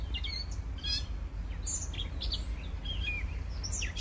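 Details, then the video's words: Birds singing at sunrise: scattered high chirps and short whistled notes from several birds, irregular, over a steady low rumble of background noise. "BEAUTIFUL SUNRISE WITH BIRDS SINGING"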